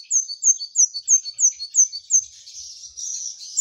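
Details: Brown-throated sunbird, gacor masteran, repeating high, thin downslurred whistles roughly three times a second, then breaking into a hurried squeaky warble.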